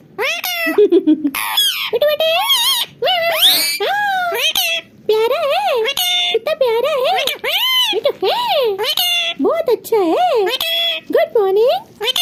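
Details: Talking pet parrot, happy and excited in front of its mirror, babbling continuously: dense, rapidly wavering harmonic syllables rising and dipping like speech, with scarcely a pause over twelve seconds.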